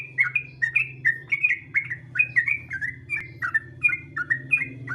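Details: Sooty-headed bulbul song played to draw other bulbuls into singing: rapid, bubbly whistled phrases repeated steadily, each note slurred downward, over a persistent low hum.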